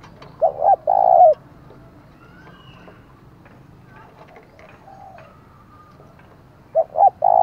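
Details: Spotted dove used as a decoy, giving the 'thúc' call to provoke wild doves; a double hoot with a drawn coo at the start and again at the end, with faint voices and soft bird notes between.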